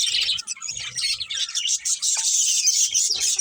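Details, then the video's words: Budgerigars in a colony with a breeding pair, producing dense, continuous high chirping and warbling chatter with rapid overlapping notes and a few short clicks and low thumps. "Cute Budgies Chirping Sounds"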